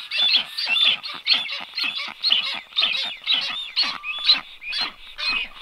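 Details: At a black stork nest watched by livestream, strange storks visit on 9 July 2023; a steady run of scratchy, breathy calls repeats about two per second, with one thin whistled squeal.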